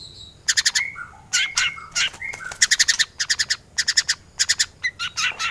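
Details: Murai batu, the white-rumped shama, in energetic varied song meant for tutoring other birds: bursts of fast repeated buzzy pulses in short groups, broken by clear whistles and slurred rising notes, with no other sounds.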